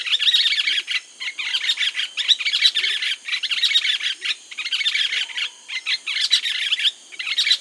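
Yellow-billed Nunbird giving loud, rollicking bursts of chattering, gurgling notes in rapid runs, pausing briefly between phrases, with a faint steady insect hum behind.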